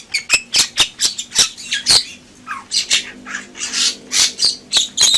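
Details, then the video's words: Bali myna (Leucopsar rothschildi) gives harsh, scratchy squawks about three times a second, broken by a few thin whistles and rasping phrases, over a faint low hum. "Suara Burung Jalak Bali Gacor"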